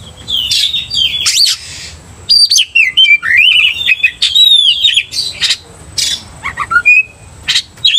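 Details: Oriental magpie-robin quickly angered by a provoking singer: loud whistled phrases with rising and falling slurs, clear high up-sweeps and scratchy bursts, separated by short quiet gaps.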